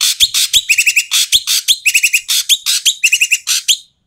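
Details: Asian pied starling giving loud, harsh, noisy calls, used to prompt quiet starlings to sing: raspy broadband bursts alternating with quick runs of three or four short buzzy notes, packed rapidly and without pause.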